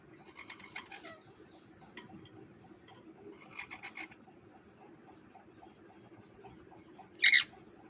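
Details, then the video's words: Parrot in India calling in short, harsh, raspy bursts with a few seconds between them, ending with one loud, brief screech against a quiet indoor background. "parrot 🦜🦜 voice"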